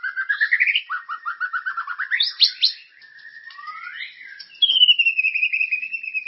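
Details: White-rumped shama, a murai used as a lure song to stimulate caged birds, singing loud varied whistled phrases: rising slurred notes, a run of quick repeated chips, then a long descending whistle.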